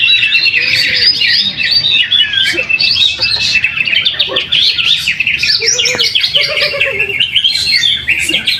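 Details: Greater green leafbird competing at a weekly practice singing contest in Jatisumber village, Mojokerto, Indonesia, taking first place. Continuous, energetic, high warbled chatter with slurred notes, and short lower whistled phrases and distant voices in the background.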